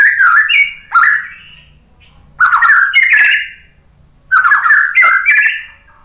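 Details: White-rumped shama song as a lure to draw answering birds: three loud bursts of rich fluty whistles mixed with harsh clicks, each burst about a second long, separated by pauses of roughly a second and a half.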